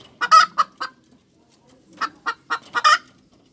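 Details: Hens cackle in two quick runs of sharp, raspy clucks, four or five notes each, separated by a short silence.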